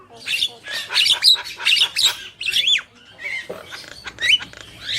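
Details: Vigorously singing Javan myna pair, male and female: loud grating squawks in quick succession, a pause, then softer whistled and buzzy notes.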